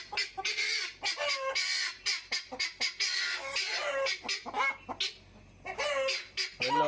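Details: A confined hen gives a very loud, repeated cackle of harsh squawking notes in quick bursts while trying to climb out, and her owner thinks she is calling because she is about to lay; a person talks in between.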